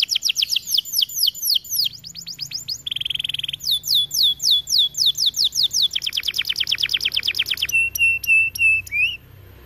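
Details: White AF canary singing strongly in an aviary: fast series of high whistled sweeps and rapid trills, a brief buzzy rattle near three seconds, then dense rolling trills and sharp clipped notes, changing phrase every second or two.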